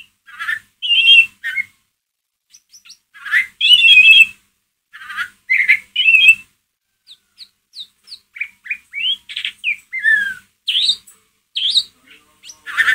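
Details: Ngeriwik chatter of a white-rumped shama used to rouse a pet shama's emotion: rough buzzy bursts repeated in quick succession, giving way to a rapid varied string of sharp whistled slurs and chips.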